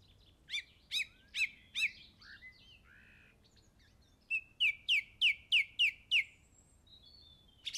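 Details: Songbird at an English golf course, Easter Saturday 2007, giving three sharp repeated notes, some softer warbled bits, then a run of six clear down-sweeping notes in quick succession.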